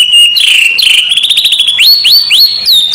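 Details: Training song of a white-rumped shama before a contest: steady high whistled notes with fast stuttering pulses, ending in sharply upslurred whistles repeated several times.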